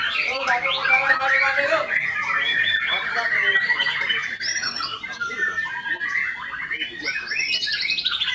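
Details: White-rumped shama singing a dense, fast run of varied chirps and whistles, mostly mid to high in pitch, with quick slurred notes tumbling over one another; faint voices underneath.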